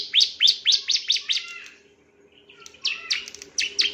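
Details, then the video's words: Male bar-winged prinia song from a master recording for training other birds: a quick run of sharp descending chirps that fades, then scattered strong notes, with a constant low hum. "Master Burung Ciblek"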